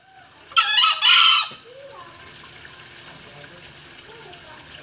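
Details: Lure recording of a Green junglefowl, Bali: one loud, hoarse crow in two joined bursts lasting under a second, followed by a faint background hum and a few soft distant tones.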